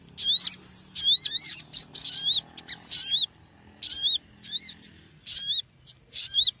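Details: A noisy small bird calls in quick series of shrill chirps with curling, down-then-up notes. Dense runs at first give way to more spaced single bursts. A faint low hum sits beneath.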